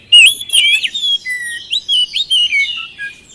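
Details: Oriental magpie-robin lure recording to get reluctant birds singing; a loud opening whistle, then a string of clear, short rising and falling whistled notes in steady succession.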